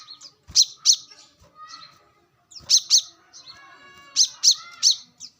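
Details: Brown-throated sunbird in the wild, recorded as a lure: clusters of two or three piercing, high downward-flicked notes every couple of seconds over fainter warbled chirps in the background.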